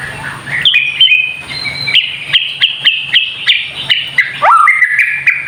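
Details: White-rumped shama in a kretekan-style recording meant to provoke other birds into singing; loud whistled phrases between about two and four kilohertz broken by sharp, rattling clicks, a quick upward-swooping whistle near the end, faint low hum beneath.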